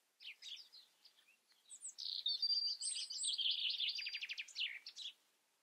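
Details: Varied European robin song: a few separate high chirps lead into a sustained, sweet warble that ends in a quick, evenly repeated trill and a final twitter.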